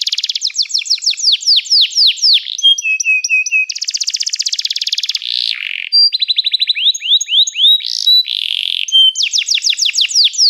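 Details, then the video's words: Domestic canary singing a long varied song of fast descending sweeps, steady whistled tones, buzzy rattles and rapid trills, switching phrases every second or two. "toque imediatamente este encantador som de canário"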